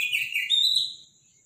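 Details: Morning song of a robin, loud and powerful: a short burst of high twittering notes sliding into a sustained thin whistled tone that fades away.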